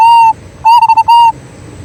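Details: Local zebra dove (perkutut) lure song meant to set other doves singing: a long level coo, then a coo broken into rapid trilled pulses, ending with another sustained ringing coo.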